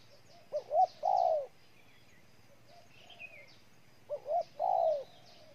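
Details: Repeated phrases from a spotted dove in Ninh Thuận, Vietnam: a few quick rising notes leading into a long falling coo, given twice, with faint high chirps of other birds between.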